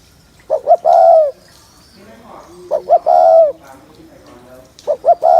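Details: Spotted dove coo meant to excite males fast for trapping: three phrases, each two quick low notes leading into a sustained, slightly falling coo, a couple of seconds apart.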